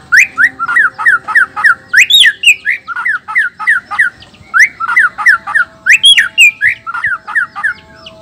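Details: Male black-tailed white-rumped shama from Nias, a song said to anger other males and set them singing: fast repeated two-part whistled phrases, bright and sliding, delivered steadily with brief varied flourishes.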